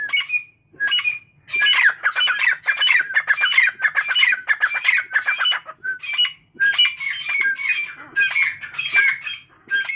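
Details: A group of captive grey francolins in a dense, overlapping bout of rapid squawking, chattering notes that run almost continuously for ten seconds with brief pauses.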